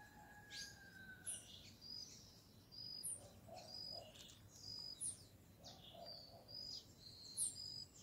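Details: At a feeder in an acerola tree, a feeding family of Great kiskadees gives high clipped chirps about once a second, in loose pairs, over a faint steady background hum.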